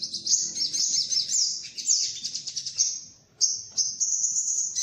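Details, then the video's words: High shrill sunbird twittering for luring birds: a long unbroken chattering stream with sweeping squeaky notes, a brief pause, then thin sustained high trills. "Suara pikat burung sogok ontong"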